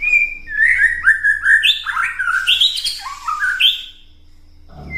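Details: White-rumped shama delivering an unbroken ketrekan to provoke other birds into song: a rapid stream of whistled, slurred notes stepping up and down in pitch for about four seconds, then silence.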